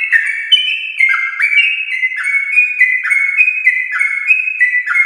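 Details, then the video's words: Prolific yellow-vented bulbul of a champion line singing rapid 'ropel' phrases as a lure for caged birds: clear whistled notes rising and dropping in quick succession, layered and unbroken. "Trucukan gacor ropel panjang TRAH JUARA untuk pancingan trucuk rumahan"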